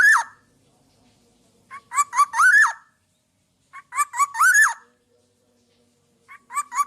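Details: Black-naped oriole in lively song, used to train other birds: loud, fluty whistled phrases with rising-then-falling slurs, delivered in short bursts about every two seconds, separated by silence in a small indoor space.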